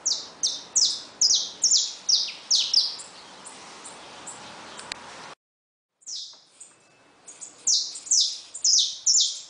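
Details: Saffron finches caged with newly hatched chicks make fast, repeated, high, falling chirps. The series breaks off in a brief silent gap, then resumes at the same quick rate.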